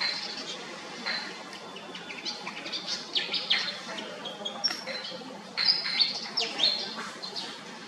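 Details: High-pitched chattering of a Pied fantail: scattered thin chips and short whistled squeaks, growing livelier and louder toward the end, with steady soft background noise.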